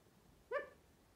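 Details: A male pet California quail, standing on a person's arm and talking with his sister, gives a single short, soft note with a slightly nasal, harmonic tone; otherwise quiet with faint hiss.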